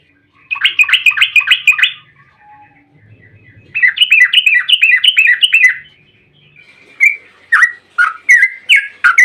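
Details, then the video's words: Bulbul singing to draw other bulbuls into song: two bursts of rapid, bubbling chatter, then a slower string of separate rich, whistled notes. "trucukan gacor ROPEL PANJANG buat pancingan trucukan agar bunyi"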